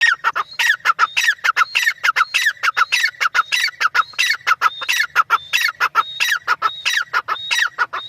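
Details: Partridge (teetar) calling loudly and continuously, a rapid harsh rhythmic series of scratchy notes, each phrase topped by a short high whistled rising note, repeated close together throughout with no other sounds.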